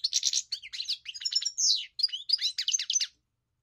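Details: European goldfinch singing a rapid, continuous stream of tinkling, twittering notes with buzzy trills and liquid chirps, high-pitched and busy, with no background noise.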